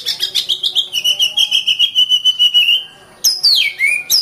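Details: Oriental magpie-robin (kacer) giving a fast, pulsing trill of repeated notes, roughly three to four per second, then a brief gap and a loud whistle sliding steeply downward.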